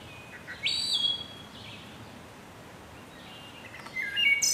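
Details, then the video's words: Wood thrush singing: a clear fluted note rising into a shimmering high trill near the start, a pause, then another phrase of liquid whistles ending in a bright high flourish, over soft background hiss. "Wood Thrush Bird Beautiful Sing"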